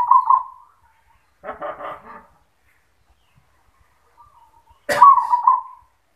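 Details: Zebra dove cooing: a rolling coo phrase, then a rough, buzzy, broad sound, and another coo following a sharp click.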